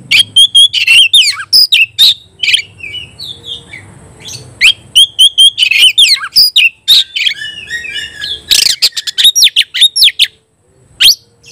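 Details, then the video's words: Oriental magpie-robin in a singing contest with a rival: long run of rapid staccato chirps and whistles in dense trains, brief pause midway, then more fast bursts. "kacer gacor ngobra KONSLET nembak lawan tarung paling enjoy"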